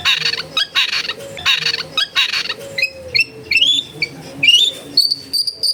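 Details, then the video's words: Long-tailed shrike song, a masteran recording made in a crowded residential area: harsh buzzy bursts, then clear whistled upslurred notes and mimicked chirps, with faint background noise. "MASTERAN ANTI GAGAL SUARA JERNIH CENDET MACET BIAR CEPAT BUNYI"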